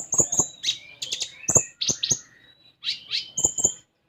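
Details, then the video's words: Common iora chattering song for a young konin: very high thin whistles mixed with mid-pitched slurred notes and loud low clicks, ending in two high peeps. "Konin Bahan Dijamin Langsung Bunyi"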